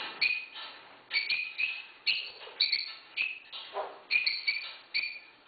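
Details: A pet African grey parrot that lives with six dogs barks like a dog, giving about six short, harsh, high-pitched yaps at roughly one per second with no other clear sounds.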